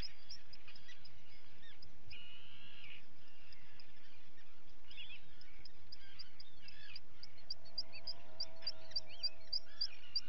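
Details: Common guillemot chicks being fed at a breeding colony, filmed by a live camera on 28 June 2020: busy high, thin peeping notes throughout, with a deeper, drawn-out harmonic growl rising and falling near the end, over steady low background noise.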